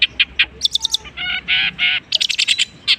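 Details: Long-tailed shrike imitating various other birds: rapid high chips, then three longer rough, harsh notes, followed by another fast run of bright high ticks.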